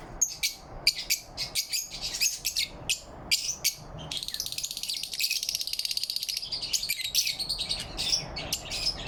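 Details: Morning lovebirds, recorded November 4, 2023, chirping cheerfully: a fast run of piercing chirps gives way to a long buzzy, rapidly pulsed trill, then more quick chirps.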